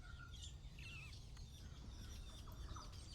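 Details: A busy chorus of many Metallic Starlings screeching and chirping in a nesting tree with dried-grass nests in Cairns Botanic Garden, tropical Queensland, Australia, over a steady low rumble: high, squeaky screeches from many birds at once.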